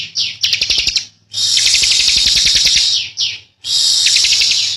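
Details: Bar-winged prinia (Prinia familiaris, Javan endemic) giving long, dense, buzzy high trills, strung together with only brief pauses, each burst rattling on for a second or two.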